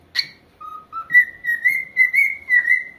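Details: Pet corella parrot singing: a short harsh screech, then a run of clear whistled notes, a low steady tone stepping up to a higher sustained pitch repeated in pulses about twice a second.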